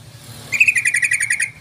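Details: Yellow-vented bulbul call used as a lure to draw other bulbuls: a loud burst of rapid, chattering bubbly notes lasting about a second, with low background hum.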